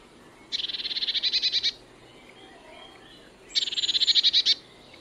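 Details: Eurasian blue tit (Cyanistes caeruleus), call.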